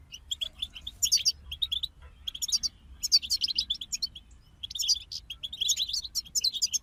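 Several goldfinches twitter together in bright, tinkling bursts of high, liquid notes, overlapping almost continuously with brief pauses; a faint low hum lies underneath.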